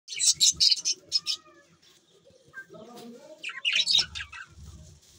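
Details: Pet budgerigars chirping in rapid bursts of high, scratchy notes, with a quieter gap of low warbling chatter in the middle before another bright run of chirps.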